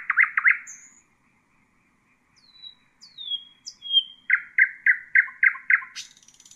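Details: Nightingale song used for teaching young birds: a fast stuttering trill opens, then pure whistled notes at different pitches after a pause, ending in a run of loud repeated chopped notes and a buzzy close.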